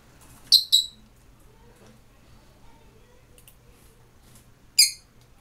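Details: Rosy-faced lovebird pair, indoors: the male regurgitates food to the female as if to a chick, and she begs for more during courtship feeding. Three sharp, high squeaky chirps, two in quick succession at the start and one near the end, with quiet gaps between.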